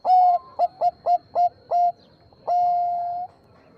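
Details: Bangkok-type zebra dove singing to lure other zebra doves into replying; a loud mellow note, five short rapid coos, a brief pause, then one long, flat, held note of nearly a second.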